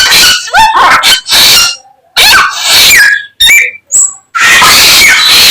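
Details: Samyong, or greater racket-tailed drongo, singing a song filled with copied calls of other birds: bursts of bright whistles and upward slides separated by short silences, including a thin high whistled note.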